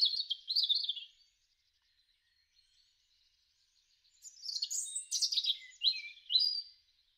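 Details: European robin in a garden, March–April 2013: a warbling high phrase, about three seconds of near silence, then a louder, complex run of rising and falling whistled notes.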